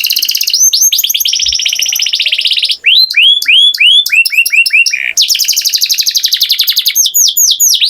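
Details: A canary sings a rich, unbroken song, alternating long buzzy rolling trills with bursts of sharp downward-sweeping whistled notes, very loud and close throughout.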